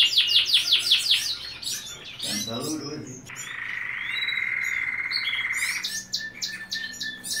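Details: A white male canary in breeding condition courting a female sings a fast, varied song of bright repeated chirps, then holds a long buzzy trill before resuming quick notes; a brief voice is heard.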